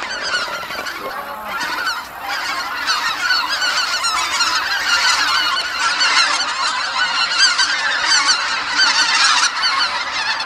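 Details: Tens of thousands of geese flying into Kabukuri-numa marsh at nightfall, calling all at once; loud, close, rapid honks crowd over one another in a vivid, rising clamour.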